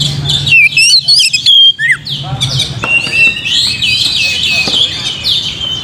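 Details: Provoking song of an Oriental magpie-robin: a run of strong whistles, twisting slurs and a dropping note in the first two seconds, then varied high warbling mixed with crowded background birdsong and a faint low drone.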